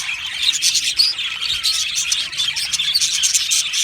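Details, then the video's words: Budgies in an Australian colony chirping and singing, a dense twitter of quick bright notes with a few clearer whistled chirps rising out of the crowd. "Budgie colony sounds | Budgie singing and chirping sounds"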